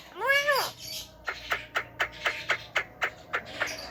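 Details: Javan myna imitating speech, coughs and laughter: one loud arched nasal note, then a quick run of short, sharp clicking strokes about four per second, like staccato laughter.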